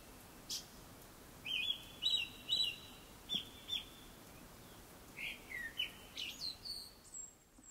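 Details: A Japanese thrush singing before sunset: a rapid phrase of bright, repeated whistles, a pause, then a second varied phrase ending in high, thin notes.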